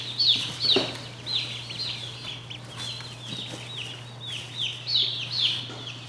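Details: Saxony ducklings produce a stream of high, falling peeps. The peeps are quieter and less regular, with louder overlapping peeps at the start and near the end. A low steady hum and faint knocks run underneath.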